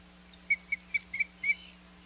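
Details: Osprey at the Hog Island nest, 21 May 2021, uttering five short, high, piping chirps, the last two slightly doubled and drawn out, with a quiet mechanical hum in the background.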